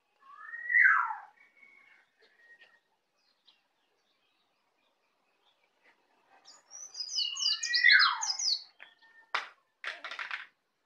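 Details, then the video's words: Learning to sing ngeplong, a young native Bali white-eye gives one clear falling whistle, goes quiet, then breaks into a short burst of quick high chirps with a downslur, followed by two dry rasping sounds. "Pleci Bali baru Belajar ngeplong"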